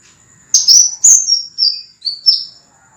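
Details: High clear whistles of a scarlet minivet, used as a cage-bird training master. A rapid sequence of about five slurred notes descends in pitch over two seconds, over a faint constant high tone.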